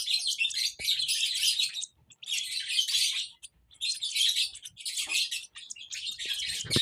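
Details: Baby lovebird giving bursts of shrill chirps, roughly a second long, separated by clear silent gaps, with a soft thump near the end.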